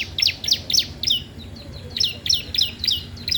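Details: Bar-winged prinia in lively song, used for training or luring young birds: crisp, high chirps repeated about three to four per second in two quick runs separated by a brief gap.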